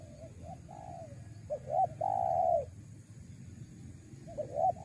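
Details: Spotted dove coo phrases meant to attract wild doves: soft lead-in notes, a double hooked note and a loud long coo, then another phrase beginning, over a continuous low hum.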